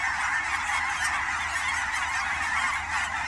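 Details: Fall migration flock of Canada geese on ponds at Fern Hill Wildlife Area, Oregon's Willamette Valley; many birds honk at once, a dense continuous clamour of nasal calls at an even loudness.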